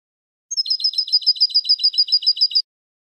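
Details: Song of the European goldfinch for training young goldfinches: a single clear introductory note followed by a steady, even trill of about fifteen bright, buzzy twitters lasting two seconds.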